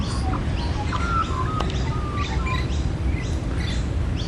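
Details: Australian magpie carolling, the adult's territorial call, recorded December 2013 after a breeding season with fledglings about: mellow fluted whistles and short rising slurs in loose sequence, set against persistent low-frequency background rumble.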